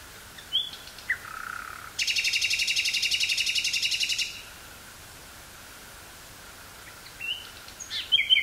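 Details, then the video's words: Woodland near Burgh-Haamstede, Netherlands, on 18 May 1983: a singing common nightingale gives a low drawn whistle, then a harsh, rapidly pulsed rattle lasting over two seconds, followed by quiet and a few scattered sharp notes, recorded on a portable cassette recorder. "Nightingale singing near Burgh-Haamstede, NL"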